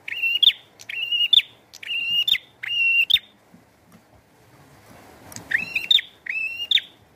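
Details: Prinia singing vigorously with rain: loud buzzy notes, each a harsh rasp leading into a steady high whistle-like tone, given in quick runs of four, then a pause and two more.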